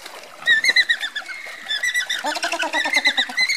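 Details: Marching flock of Andean flamingos; rhythmic honking and gabbling notes from several birds overlap, growing denser and more rapid toward the end.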